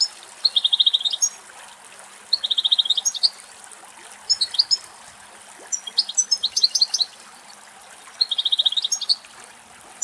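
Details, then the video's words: Two adult male European goldfinches, thirsty from a summer heatwave, drinking deep in a Greek forest: high, fast buzzy trills in short bursts about every two seconds, with tinkling twittered notes between them and faint soft background noise. "Καρδερίνα Κελάηδημα"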